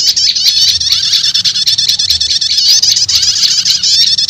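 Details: Continuous high-pitched, buzzy chattering from a prinia lure blending prenjak lumut and prenjak setater calls, used to pull in wild prenjak lumut; the trilling runs almost without breaks throughout.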